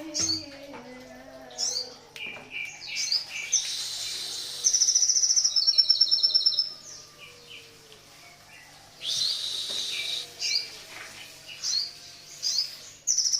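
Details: Crested jay in morning song, giving a loud, rapid, metallic rattle of high repeated notes for nearly two seconds, amid bursts of hissy high chirps and softer lower whistled notes from other birds.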